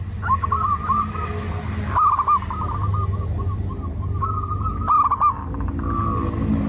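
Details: A zebra dove sings a long, continuous string of soft, quavering coo notes on a level pitch, with a brief break near the start. A low rumbling hum runs throughout.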